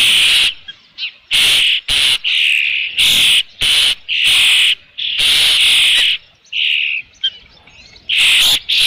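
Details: Osprey with fish at the Dunrovin Ranch nest, 3 June 2018 about 5 PM: a rapid, irregular string of shrill whistled squeals, short and long notes mixed, with a few quiet gaps.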